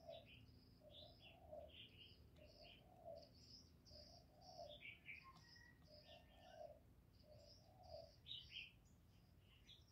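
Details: Spotted dove, 'giọng thổ' voice, cooing to spur males: a long run of deep, evenly spaced coos in phrases, with busy high-pitched chirping and twittering of small birds throughout.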